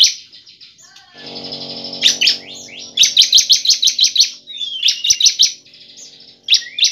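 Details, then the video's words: Bar-winged prinia (ciblek) lure song meant to get caged prinias singing: a steady low hum under fast series of sharp, clipped notes, with short rising whistles between series. "ciblek semi gacor sangat efektif untuk pancingan ciblek agar ciblek gacor dan ciblek ngebren nembak"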